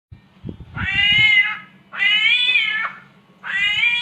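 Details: Samyong imitating a mating cat: three drawn-out, wavering meow-like wails, each about a second long, nasal and harmonic-rich, separated by short pauses, with faint low thumps and a steady low hum underneath.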